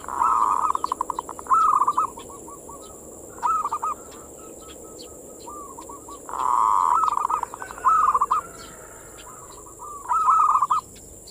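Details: Zebra dove singing its manggung song as bait for local zebra doves, boosting their breeding urge: burbling coo phrases with stuttered note runs, repeated roughly every three to four seconds, with a steady high whine in the background.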